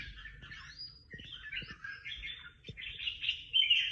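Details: Competition songbird in a singing contest: continuous chattering warble of quick twittered notes, growing louder toward the end with a sharp whistled note, a few soft knocks in the background.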